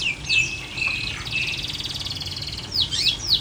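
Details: Long-tailed shrike, kept in an uncovered cage, singing varied high notes: short rising and falling whistles, then a long buzzy rattling trill in the middle, ending with sharp downward sweeps; faint low room hum beneath.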